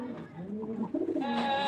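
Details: Girabaz pigeons from Rajshahi, Bangladesh, kept at a pigeon farm, cooing indoors: soft low wavering coos with a brighter tonal note near the end, room echo and faint background chatter.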